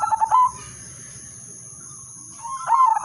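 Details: Zebra dove of the udanmas silver type giving a melodious lure song meant to set other zebra doves singing: a stuttering burst of rapid cooing notes, then a pause of about two seconds before another rolling coo phrase, over a steady high whine.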